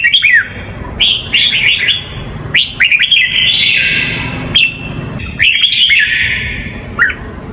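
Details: Hue red-whiskered bulbul song played for young birds to learn: bursts of bright, warbling whistled notes, some quick slurred phrases and a sustained high note, against constant low background hum.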